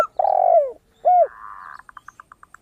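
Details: Zebra dove, called perkutut, singing actively with a clear 'crystal' voice, kept as a lure to set other birds calling; a short rolling trill then rapid evenly spaced staccato notes follow two deep, falling spotted dove coos.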